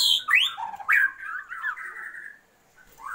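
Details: Oriental magpie-robin female calling to a male to increase his breeding drive; loud rising and falling whistled slurs with a harsh squawky edge, a long wavering whistle, then a short pause and one more note.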